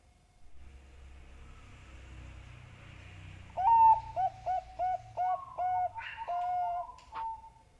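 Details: Bangkok zebra dove lure song for prompting doves to sing often: after a low hum of background noise, a rising opening note, then about six short mellow coos in quick succession ending in a longer drawn-out coo.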